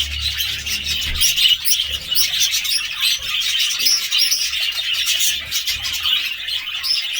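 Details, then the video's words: Budgerigars chattering: a dense, continuous warble of high chirps and squeaky notes with no pauses, plus a low hum underneath. "budgie sounds"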